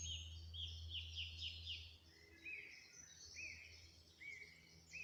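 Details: A song thrush sings in the morning in Kirton Wood, Nottinghamshire, just off to the left: bright, clear phrases, each repeated before moving to the next, first a quick run of high slurred notes, then lower whistled ones, over a low drone at first.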